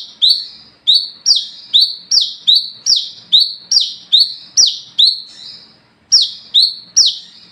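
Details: Night song of an olive-backed sunbird, known locally as wiceh, in lively gacor ngalas ngeplong style for luring other sunbirds: a fast run of piercing downslurred notes, roughly two per second, with one brief break.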